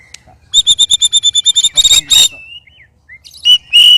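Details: In a three-bird sparring bout, a white-rumped shama gives a rapid string of about a dozen identical ringing notes, then harsh rasping bursts and a few whistled slurs.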